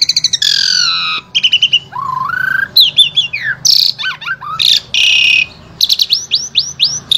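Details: Energetic Asian pied starling from Central Java, Indonesia, singing a varied, mimic-filled repertoire meant to teach spotted starlings. Stuttered high notes, buzzy bands, a low rising whistle, then tumbling squeaks and a row of repeated rising chirps.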